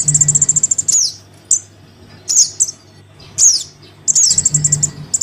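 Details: Crimson sunbird chick call for attracting adults: a fast ticking run of high chips, then single sharp downslurred squeaks spaced about a second apart, then another quick trill.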